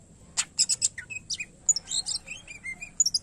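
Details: Greater green leafbird (cucak ijo) singing vigorously with a varied fill-in repertoire: sharp high chips, then a run of quick whistled and slurred notes, some dropping, others rising, with faint background hiss.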